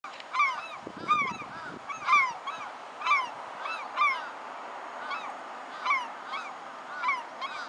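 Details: Slaty-backed gull chick calling in short arched, slightly nasal notes, repeated roughly once a second in small clusters, with a brief low rustle early on.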